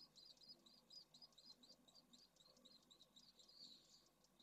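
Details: Pallid swift nest site in Jerez de la Frontera, Spain, where one nest holds two eggs and others hold feathering chicks: a rapid, continuous stream of high twittering chirps, several per second, over a steady background hiss.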